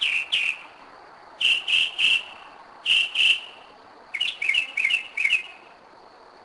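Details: Northern mockingbird night song, 2am, Kennesaw, Georgia, 2011: short high notes delivered in twos and threes, each group repeated, then a faster jumbled run of varied chirps.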